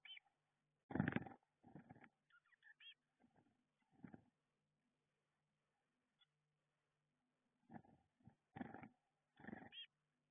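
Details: Young Eurasian blue tits inside a garden nestbox, getting ready to fledge; bursts of broadband fluttering and scraping with short high thin calls scattered between, quiet pauses and a steady low hum throughout.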